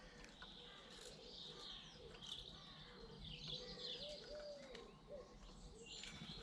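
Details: Chorus of British garden birds, with dense high twittering and chirps mixed with a few soft low coos, all over a steady outdoor background hiss.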